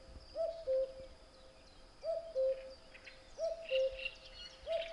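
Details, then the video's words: Cuckoo repeating its descending cu-coo four times about every 1.3 seconds, while other small birds chirp and twitter higher up in the background. "Kuckuck | cuckoo | cuculus canorus | Gesang"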